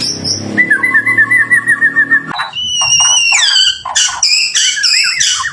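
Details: White-rumped shama in full song, used as a prompt to make other shamas sing back; opens with steady wavering whistled notes over a low hum, then bursts into rich, varied, rapidly changing whistles and sharp slurred phrases.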